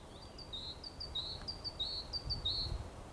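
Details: Eurasian blue tit singing, recorded 28 May 2022: thin, high, whistled phrase of short paired notes, a brief higher note followed by a slightly lower, longer one, repeated about five times within three seconds over soft low background rumble.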